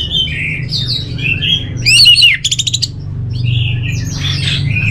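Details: Singing orange-headed thrush: buzzy warbled phrases, a brief loud chattering cluster of sharp clicks and trills, then softer scratchy notes, with steady low hum beneath.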